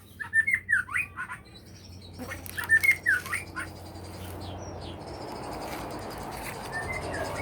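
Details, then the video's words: Energetic magpie-robin song at a plantation in Neipu: two bursts of quick, sliding whistled notes in the first three seconds, then mostly hiss and background noise with a faint whistle near the end. "burung murai gacor perkebunan neipu"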